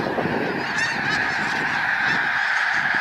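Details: Thousands of snow geese taking off from water during a hike and flying overhead: a dense, overwhelming chorus of nasal honking calls, overlapping continuously with no gaps, with low rumbling wingbeat noise underneath.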